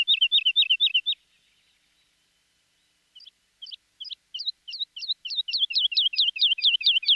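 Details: Skylark singing: a fast burst of sharp, high chirped notes, then a pause of about two seconds, then a stuttering series that speeds up into a rapid, regular trill of bright repeated notes.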